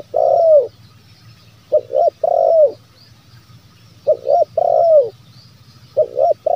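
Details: Zebra dove lure call meant to provoke wild doves into calling: paired short coos then a drawn-out falling coo, the phrase repeating roughly every two seconds over a low steady hum.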